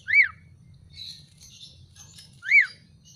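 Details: Bathed and sun-dried black-collared starling gives two loud rising-falling whistles about two seconds apart. Softer higher chirps fill the gap, over a low background hum.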